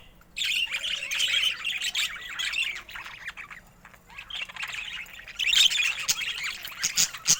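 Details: Colourful pet budgerigars warble in a continuous scratchy twitter of high chirps and squawks. The chatter dips quietly mid-clip, then swells again into dense overlapping notes.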